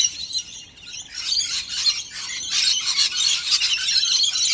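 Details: Excited Rainbow Lorikeets in Australia mob a bowl of warm honeyed nectar, their piercing squeals and rasping chatter starting sparse and then thickening into a continuous, high-pitched din after the first second.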